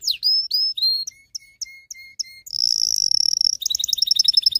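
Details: Excited canary song for preparing females to breed and teaching males: falling whistled notes, a row of soft low pips, a sustained buzzy high note, then a quick pulsed trill.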